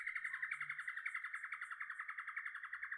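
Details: A Lewin's Honeyeater at Bangalee reserve, Shoalhaven, Australia, gives its rapid, long drawn-out chittering call, a machine-gun chatter of sharp notes at about four per second, sustained for the full three seconds.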